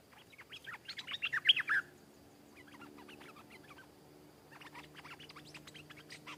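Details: Wild stripe-throated bulbul answering and fighting a caged bird: loud burst of quick bubbly notes for about a second, then softer scattered chattering phrases that pick up again toward the end.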